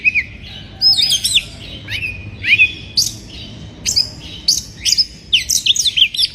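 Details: Oriental magpie-robin in breeding condition, singing to provoke rival birds: loud whistled phrases with rising and falling slurred notes and sharp upsweeps, in separate bursts with short pauses, over a faint low background hum.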